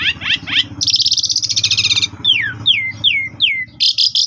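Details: An Asian pied starling in the evening sings a varied, busy medley of rising chirps, dry rattling chatter, four falling slurred whistles and harsh notes, used as a tutor recording for young starlings.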